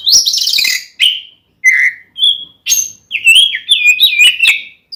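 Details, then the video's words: Oriental magpie-robin fighting song meant to provoke another male: a harsh rasp, then separate whistled notes at varied pitches, followed by a fluid run of rising and falling warbled whistles. "SUARA BURUNG kacer gacor NGEPLONG tarung ini AMPUH buat PANCINGAN KACER agar EMOSI"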